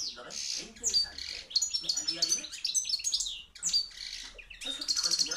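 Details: Loud song of a captive hand-reared field European goldfinch, a 2013 junior: nearly continuous chattering, tinkling twitters with buzzy trills and sharp high notes, in short rapid phrases.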